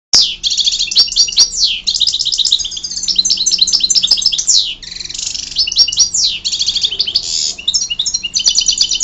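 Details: A European goldfinch sings a fast, continuous tumble of bright tinkling twitters and buzzy trills, high-pitched and almost without pause.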